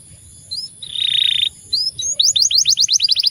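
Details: Canary singing loudly, with dominant, clear rolls. A long buzzy note comes first, then rising whistled slurs, then a fast run of repeated sharp chirping notes at high pitch.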